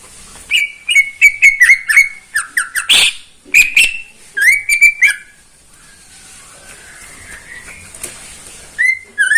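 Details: Morning singing from a caged greater green leafbird: quick clusters of high, even whistled notes and twitters, with a few harsh bursts, then a pause and a final pair of whistles.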